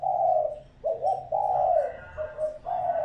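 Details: Spotted dove used as a lure, one long falling coo, then a stuttering rising note and another sustained coo, with a faint low hum behind.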